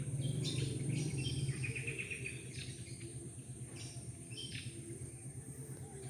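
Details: Many birds twitter busily at dawn around homes in a neighbourhood: quick high chirps and brief trilled phrases repeat about three per second, loudest early on, with a constant high-pitched tone and a deep background hum underneath.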